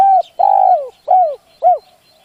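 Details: Decoy spotted dove giving its luring coo. Loud hollow notes come in sequence: an opening coo, a long coo that droops at its end, then two shorter downward coos, all at a low, mellow pitch.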